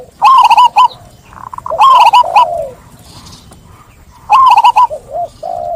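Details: Zebra dove (perkutut) delivers three loud, crisp phrases of quickly repeated staccato coos. Each ends in a softer, descending purr, with quiet gaps between.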